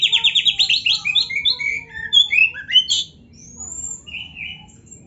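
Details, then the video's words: Varied masteran song of an Oriental magpie-robin, used to train a bird's fighting spirit: begins with a fast run of repeated chipping notes, then slurred rising and falling whistles, ending with softer scattered phrases. "KACER GACOR MASTERAN KACER ISIAN MEWAH"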